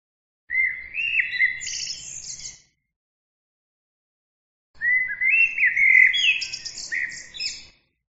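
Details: Bird song: two similar phrases about two seconds apart, each starting with rising whistled notes that step upward into dense, high, scratchy trilling.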